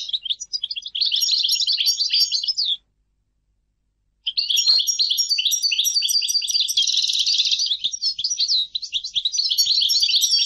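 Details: European goldfinch pours out a rich, rapid twittering song of high, jangling notes and buzzy trills, pausing once for about a second and a half before a longer continuous phrase.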